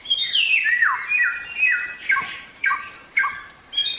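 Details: Samyong singing for training songbirds, with a long swooping whistle that glides downward, followed by short sharp downslurred phrases repeated about every half second.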